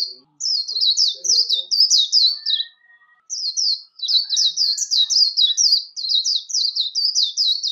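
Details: Competition líu song of a warbling white-eye for voice training: fast, high, tumbling chains of slurred twittered notes in two long bursts split by a brief pause, with a thin steady whistle faintly behind.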